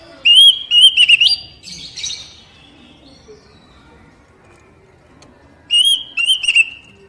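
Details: Oriental magpie-robin (kacer) singing poci phrases, played to coax newly caught captive birds into song; quick wavering whistles and a buzzy chattery note, a long quiet stretch, then another whistled phrase.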